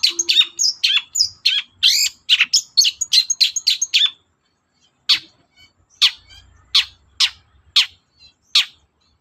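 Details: Long-tailed shrike in lively morning song, played to rouse other birds into calling back. A fast run of varied squeaky and harsh notes gives way, after a short silence, to spaced single rasping chips.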